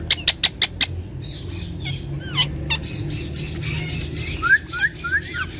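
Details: Several talking Indian ringneck parakeets, speaking Urdu and Hindi: five loud evenly spaced clicks open, then mixed squawks and a closing series of short, rising, whistled chirps over a low hum.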